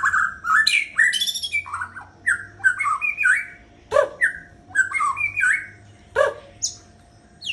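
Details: Harsh, varied chattering and squawking from a white-rumped shama breeding bird, with sharp whistled snaps and rapid scratchy phrases repeated in bursts.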